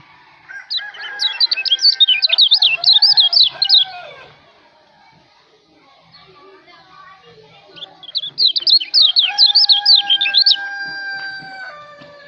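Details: Two bursts of rapid, high, jangling twitters from a Lombok white-eye, each lasting about three seconds and separated by a quiet pause, with steady tonal background lines after the second burst.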